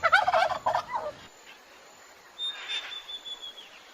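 A turkey gobbles in one rapid, rattling burst of throaty notes lasting about a second, then fades. Fainter sounds follow, possibly a voice.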